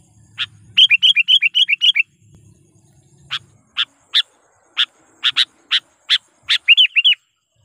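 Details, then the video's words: Sooty-headed bulbul calling as a lure bird to draw wild rivals: a fast series of about eight looping, bubbly notes, then spaced sharp chip notes, closing with a few looping warbles. "suara burung KUTILANG GACOR garuda dengan suara panggilan kutilang pikat / pikat kutilang"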